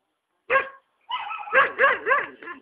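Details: Hyacinth macaw living free on a country property at Ilha Solteira, Paraná River, Brazil, giving one short harsh squawk and then a run of loud, grating, throaty calls with a rolling wobble.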